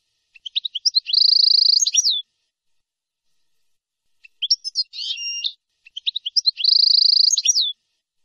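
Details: European goldfinch song from a tutor recording for teaching young birds, with nahrat and taqasim phrases: brief twittering notes leading into long buzzy trills held near one pitch, ending with a falling flourish, repeated after a pause; no background noise.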